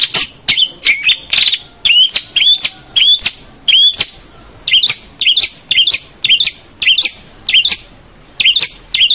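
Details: Energetic long-tailed shrike (cendet) song of short, high, sharp chips and whistled notes with down-slurred tails, delivered in a quick, uneven but steady series throughout.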